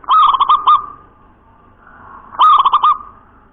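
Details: Zebra dove of a local natural line (perkutut) gives two ringing, bubbly coo phrases about two seconds apart, each a fast run of four or five notes. The singing style is named nropel cowong gowong bening.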